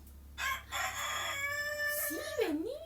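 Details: Rooster crowing, played in a children's quiz about farm animal sounds: one long, loud, rich harmonic crow of about a second and a half, then a wavering, swooping lower tone at the end.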